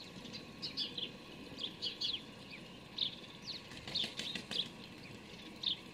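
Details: Fledged young house sparrow begging while being fed by a parent on 12 May 2019: short, chirpy, slightly buzzy notes in irregular bursts every half second or so, with soft outdoor background noise.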